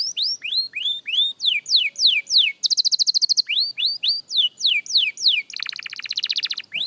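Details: Beginner canary rehearsing song, steady series of bright downward-sliding whistles interrupted by a fast metallic trill and later a harsh buzzy roll, sung loudly and close with no other sounds.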